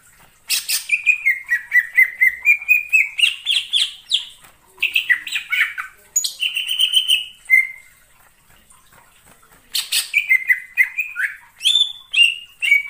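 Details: Forest-dwelling wild greater green leafbird: rapid chattering note series rising in pitch, a break, a longer steady whistle, quiet gap, then another burst of scratchy chirps and varied whistled phrases.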